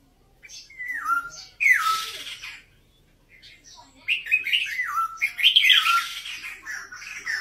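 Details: Red-whiskered bulbul song, birds of the Vietnamese and Uttaradit kinds, Thailand: clear downslurred whistles, then a pause and a longer burst of bubbly, rising and falling warbled notes, with light hiss behind.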